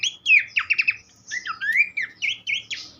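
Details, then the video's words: Horsfield's babbler singing in a tutor recording: a high whistle, then a fast run of four clipped notes, a short pause, and long rising and falling slurred whistles before a few sharp closing notes. "vokal mewah sang guru masteran khas pelanduk semak"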